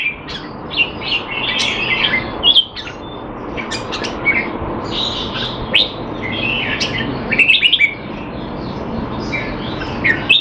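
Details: Caged Red-whiskered bulbul in Singapore, trained to stay sharp while out of form, singing a busy, continuous string of chirped and warbled notes, with other birdsong mixed in.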